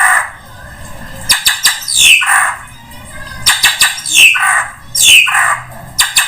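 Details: Drongo lure sound for attracting all kinds of birds: grating, raspy notes alternating with sharp falling whistles, in three similar phrases about a second and a half apart, over a faint low hum.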